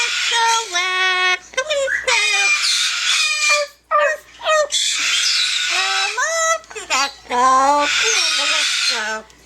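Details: Yellow-naped amazon parrot kept as a pet, singing and talking: a run of tonal, voice-like syllables with sliding pitch, broken by short gaps, in a singsong melody, with music playing in the background.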